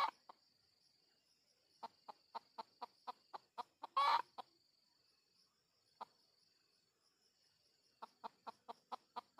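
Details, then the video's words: Red junglefowl during luring of wild junglefowl: runs of short, even clucks about four per second, paused and resumed, with one loud harsh burst mid-sequence over a steady high insect drone. "Pikat Ayam Hutan Jelek"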